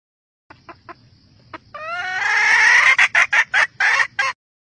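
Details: Red junglefowl hen calling to stir up the males: a few soft clucks, then a drawn-out, rising, harsh nasal note that breaks into about six loud, rapid, clipped clucks.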